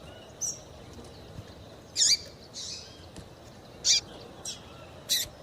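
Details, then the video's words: Female Double-collared seedeater call for firing up males: six short, high, piercing chirps at irregular intervals of about one second, each dropping sharply in pitch, over faint hiss. "Melhor Piado de fêmea de Papa capim para Esquentar e foguear Papa capim"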